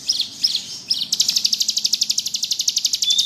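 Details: Bar-winged prinia in ngebrem style: three separate high chips, then a fast, even, buzzy trill of about ten rapid pulses per second that runs on steadily to the end, over a faint low background hum.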